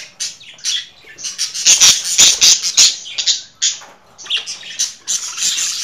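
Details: Budgerigar giving bursts of harsh, buzzy squawks and chirps, loud clustered notes roughly every third of a second, louder in the middle stretch.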